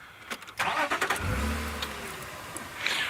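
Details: A car engine starts and idles with a low rumble, with clicks and brief rattling at the start and no animal voices.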